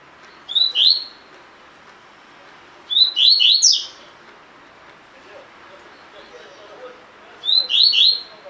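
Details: Double-collared seedeater kept in a cage sings the tui tui fibra style for song training. Three bursts of quick slurred whistles come about three to four seconds apart, each holding two to four bright notes.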